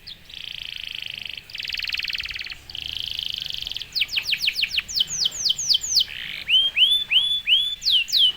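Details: Canary song meant to stir other canaries to sing, opening with three long buzzy rattling trills, then fast falling whistled sweeps and finally looping upturned whistles.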